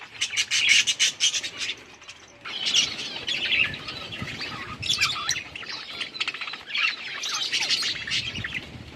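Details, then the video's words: Budgies enjoying winter rain, giving bursts of busy high chirping and chattering with short pauses between, the twittering notes overlapping in a steady flock chorus. "Budgies chirping sounds"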